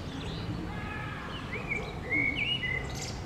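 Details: Rose-ringed parakeets (Psittacula krameri) from a colony of several dozen birds at Villa Ada, Rome, give thin, rising whistled calls and short chirps, loosely spaced, over a steady low rumble of distant traffic.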